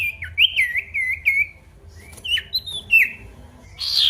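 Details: Male pied bush chat calling an opponent, a lure to revive song in quiet birds. A looping whistled trill of four notes, a pause, several sharp chirps, then a harsh rasp at the end.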